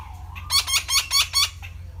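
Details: Red-breasted parakeet uttering a quick series of five loud, rasping squawks, evenly spaced about a quarter second apart, each note slightly downslurred; a faint lower whistle before and after, with low background hum.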